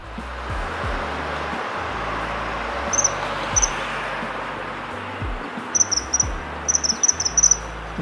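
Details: Common kingfisher calling while walking near water in inland Kita-Harima, Hyogo, Japan: thin, piercing high whistles, two single notes then quick runs of about three and six, over a steady rushing background and a low hum.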